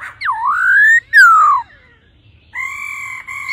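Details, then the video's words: Female laughingthrush calling 'ro ro' to stimulate a male: a dipping then rising whistle, a loud falling slur, a short silence, then a sustained, even, buzzy tone broken once. "khướu mái ro ro kích trống nhanh căng lửa"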